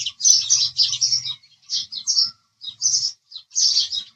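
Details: Short, sharp house sparrow chirps delivered in separate bursts with gaps of under a second between them. A faint low hum sits underneath at the start.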